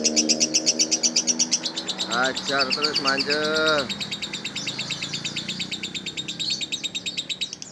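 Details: High, rapid lovebird chatter runs throughout, a string of scratchy pulsed notes, while a person speaks for a couple of seconds in the middle.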